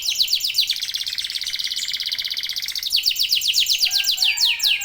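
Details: Local canary singing as a lure for other birds: fast downslurred whistles, a long rapid buzzy roll for about two seconds, then more quick repeated descending notes.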